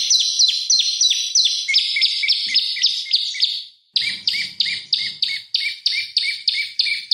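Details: Prenjak lumut (prinia) song meant to provoke rival birds and train oriental magpie-robins: loud, high chirps in quick succession, a short silence, then a renewed steady chirping series.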